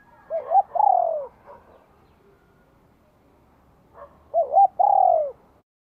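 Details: Spotted dove from Vietnam, spring 2023, with a bell-toned voice for provoking wild doves, gives a quick double hoot and a long sliding coo, pauses about three seconds, then repeats the same phrase.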